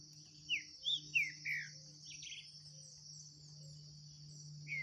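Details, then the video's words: Green-winged saltator in a 2023 singing contest against a bird free in the bush. Four clear, falling whistled notes, then a fainter phrase, over a shrill insect drone and a steady low mechanical hum. "DISPUTA DO SÉCULO 2023 🔥TRINCA FERRO - SINISTRO X SOLTO NO MATO🔥"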